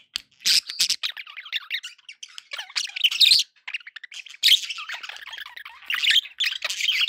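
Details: Lively pet budgerigar chatter, runs of wavering, squeaky warbled notes and harsh squawks, loudest in bursts around the middle and end.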